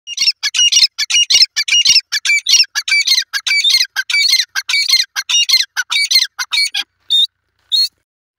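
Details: Grey francolin, locally called Irani teetar, calling: a fast run of loud, harsh, squawky notes, several per second for about seven seconds, ending with two spaced single notes. The background is otherwise quiet.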